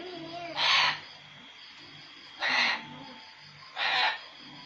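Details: Pet cockatoo in an outside cage mimicking fighting cats it hears each day: three loud, noisy screeching bursts spaced nearly two seconds apart, with some soft lower sounds between them and a constant low hum.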